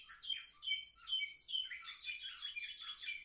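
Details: Young caged canaries, seven months old, recorded on 10 November 2023, singing a fast, continuous warbling song of twittering notes and rapid trills, high and bright, with faint room hum.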